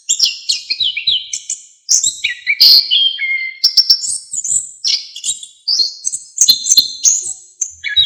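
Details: Orange-headed thrush singing loudly in a lively, full-phrased style meant as a training recording for songbirds. Rapid chattering phrases of high, varied notes, with whistles and trills broken by brief pauses.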